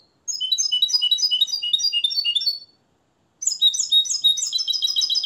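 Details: Captive European goldfinch from Morocco, raised from the nest and trained in the limpio song, pours out two bursts of rapid, high, chattering twitters and tinkling trills separated by a brief silence.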